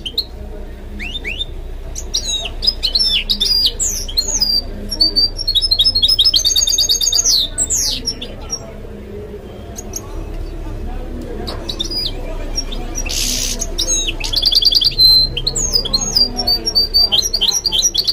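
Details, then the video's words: Canary x goldfinch mule singing: rapid high whistled slurs, trills and short buzzy bursts in irregular phrases, with quieter gaps between bouts and a low background hum throughout. "تغريد الميستو البنذوق He Has No Equal in Singing This Mule Goldfinch"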